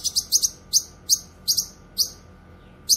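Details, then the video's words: Cucak kinoy in lively full song, used for training songbirds and luring wild cucak kinoy: short bursts of high, buzzy chattering notes in quick clusters, separated by brief pauses, with a faint steady hum behind. "Masteran suara burung CUCAK KINOY gacor cocok untuk masteran dan pikat"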